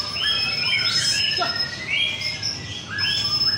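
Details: Murai batu, the white-rumped shama, competing in a North Jakarta singing contest. Clear whistled notes and looping slurs come in short bursts over a thin, constant high tone, with chirps from other birds behind.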